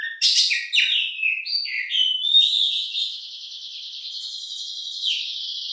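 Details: Oriental magpie-robin in long-shooting song: a few quick varied whistles and chatters, then one long, buzzy, even high note held for about three seconds, briefly dipping and resuming.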